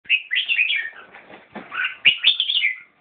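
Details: Red-whiskered bulbul singing: two bursts of bright, warbled whistled phrases around two to four kilohertz, with a quieter jumble of notes between them.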